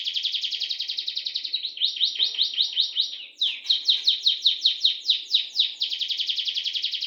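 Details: Caged canary song delivered as a long continuous roll. Rapid downslurred notes blur into a buzzy trill, briefly shift pitch, and race on for about seven seconds with hardly a pause.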